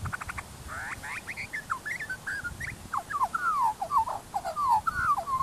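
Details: Wild Australian magpie in Busselton, Western Australia, runs through warbled, sliding notes, mimicking the rough yaps of a barking dog.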